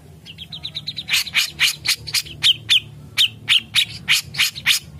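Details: Grey-cheeked bulbul song used as a master recording for training songbirds: a quick run of short high notes, then loud, rapid, buzzy chattering bursts repeated several times a second.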